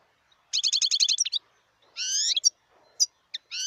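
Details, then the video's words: A wild European goldfinch sings a quick string of repeated tinkling notes, then a drawn-out nasal, rising buzzy note and a few scattered sharp chirps. "صوت الحسون البري"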